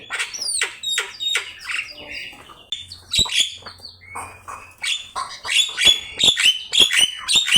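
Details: Javan myna song as a bird-training master: high sharp whistled notes and sweeps, then rapid repeated shrill chips and clicks in a lively, uneven stream.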